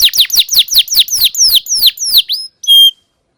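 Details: Canary singing in a recording for training young birds: about ten sharp descending whistled notes, slowing as they go, followed by a brief high pure tone.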